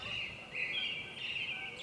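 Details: On a spring morning among pine trees in Maine, a pine warbler sings a steady, even trill of rapid notes held at one fairly high pitch, with faint outdoor background noise.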